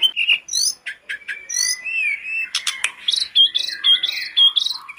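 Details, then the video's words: Busy sooty-headed bulbul song offered as a trigger for a kept bulbul: clicks and quick chirps, a long smooth whistle, then a repeated series of squeaky, buzzy notes about twice a second. "TLEDEKAN GUNUNG GACOR DOR,pancingan terbaik buat tledekanmu"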